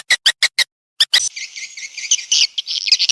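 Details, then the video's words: Swiftlet response call: a few short, evenly spaced chirps, then a pause and a dense, buzzy, high twittering that runs without a break to the end. "Suara Walet respon"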